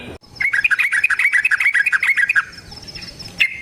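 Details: Yellow-vented bulbul in rapid wild-style song used as a lure for other bulbuls: a brief, dense burst of bubbly, chattering notes tumbling up and down for about two seconds, then a thin high whine and one last chirp.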